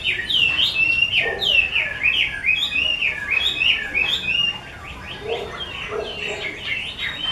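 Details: An artisan's caged Chinese hwamei, 'mơ' colour type, sings strings of clear whistled notes that swoop downward in quick succession, varied and rhythmic, easing to softer phrases after the midpoint.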